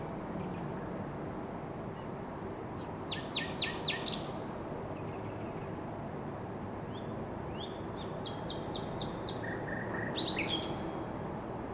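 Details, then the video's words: Common nightingale song recorded on May 16, 2023: rapid repeated clicking and rattling notes in tight bursts, pauses, then further fast phrases and a short whistle, against constant low outdoor noise. "Śpiew słowika rdzawego"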